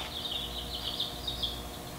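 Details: Chicken (Gallus gallus domesticus): newly acquired chicks kept indoors peep in a dense chorus of high, thin cheeps that overlap almost without pause, over a steady low hum.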